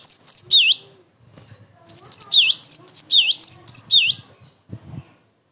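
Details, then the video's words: Cinereous tit singing with emotion, a recording meant to make other tits respond and to train birds: a short phrase, a pause, then a long run of high doubled notes with swooping lower whistles, closing with a knock. "TIDAK ADA SEMENIT GELATIK BATU MANAPUN PASTI NYAUT"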